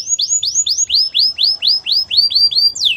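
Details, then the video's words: Gloster canary giving a series of about a dozen quick upslurred whistles at a steady pace, finishing with a sharper descending note. "Gloster canary singing"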